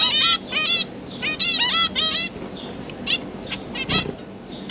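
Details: Recorded 31 October 2022: a pair of zebra finches busy feeding their three recently hatched juveniles, which hop and practise flying. Loud nasal calls come in rapid runs of short stacked notes, with a soft thud near the end.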